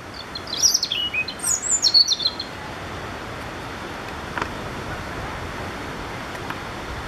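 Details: In Dziwnówek on 12 June 2014, a European robin sings one high, thin, warbling phrase of quick sweeping and tumbling notes lasting about two seconds, followed by steady background hiss.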